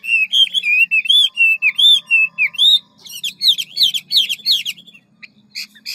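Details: Hwamei singing ngũ trường style, quick-beaked with many voices: a string of clear looping whistles about twice a second, then a faster run of bright upslurred notes, ending in a few sparse chips over a faint hum.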